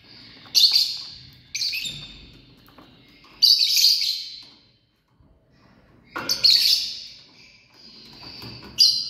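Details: A family group of lovebirds: bursts of shrill, high, noisy chattering screeches every couple of seconds, each lasting about a second, with brief quiet gaps between.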